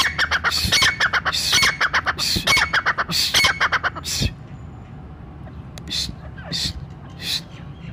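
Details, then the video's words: Brown francolin call, said to draw all the francolins of a forest together, for hunters: loud rapid series of short harsh notes with whistled squeaky accents for about four seconds, then quieter scattered notes. "براؤن تیتر قدرت کا شاہکار۔۔ brown frencolin voice"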